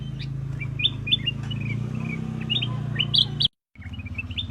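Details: Black-crested bulbul giving short, sharp chirps and quick downslurred notes, spaced irregularly, over a loud low hum that cuts out briefly near the end.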